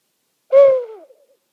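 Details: Owl at night in a meadow, one of two calling to each other: one steady hoot that falls in pitch and fades into a soft wavering trail.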